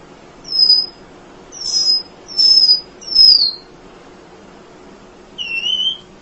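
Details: Emprit (munia) sounds used as a tutor for songbirds: five thin high whistled notes, mostly falling slurs in quick succession, then a pause and a final rising note.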